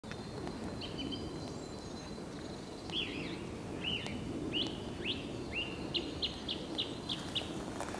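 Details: Possible song thrush (recordist unsure of the ID): varied whistled and chirpy phrases, ending in a quick run of about five repeated sharp notes, over steady low background rumble.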